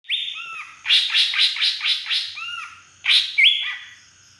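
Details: Large green leafbird from Beutong forest, Aceh, singing with fill-in phrases imitating a drongo: clear whistled notes, then a rapid run of loud buzzy notes about four per second, more whistles and a sharply rising whistle near the end.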